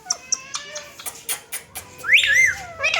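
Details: Indian green ringneck parakeets talking together in a mirror; a string of soft clicks and ticks, then a loud, swooping speech-like utterance and a final short squeaky syllable.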